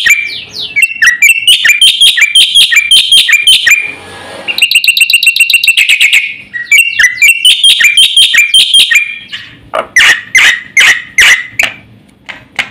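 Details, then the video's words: Black-winged starling song in a loud, energetic full-repertoire style: rapid runs of sharp whistled notes, a fast buzzy rattle in the middle, then spaced harsh broadband chatters near the end over a faint low hum. "suara burung jalak putih GACOR FULL ISIAN"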